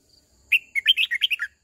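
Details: Decoy red-whiskered bulbul singing to call its flock and tutor young birds: one quick, bubbly phrase of about eight warbled, up-and-down notes, loud and clear against a quiet background.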